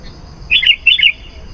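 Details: Sooty-headed bulbul song used as a lure to call wild bulbuls: a short bright phrase of two quick bubbly whistled bursts, warbling notes clustered in the middle range, with quiet background hum.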